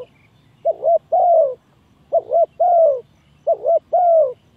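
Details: Spotted dove used as a trapping lure, cooing three times in steady succession: each phrase is a short wavering double coo followed by a long, smooth, falling coo, repeated roughly every one and a half seconds.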